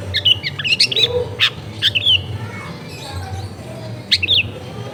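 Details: Long-tailed shrike near a house in a crowded neighbourhood giving short bursts of squeaky, twisting chirps and whistles, separated by pauses, over a constant low background hum.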